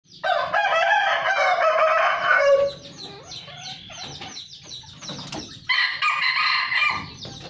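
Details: Red junglefowl kept on a farm in Sumatra crowing: a long, harsh, many-layered crow of about two and a half seconds, then small-bird chirps, then a second, shorter crow begins near the end.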